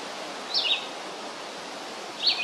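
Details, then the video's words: Red-eyed vireo singing a long song: two short slurred whistled phrases, each sliding down from high to slightly lower pitch, separated by a pause of over a second, over a steady hiss of outdoor background noise. "Red-eyed Vireo singing a long song"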